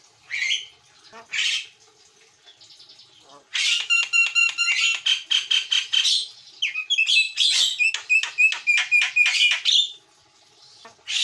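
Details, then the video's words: Master training recording of an actively singing white-eyed Javan myna: scattered squawks, then a long run of rapid, evenly spaced buzzy harmonic notes shifting into strident whistled ticks, ending with a harsh squawk. "JALAK KEBO MATA PUTIH GACOR"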